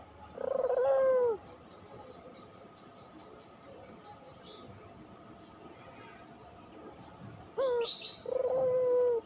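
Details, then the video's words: Pelung Barbary dove lure recording: one rolling coo at the start and a clipped note plus another long coo at the end, with a steady series of high, even chirps filling the middle. "masteran puter pelung, 100% AMPUH pikat PUTER MALES BUNYI JADI GACOR MANGGUNG, PANCINGAN PUTER"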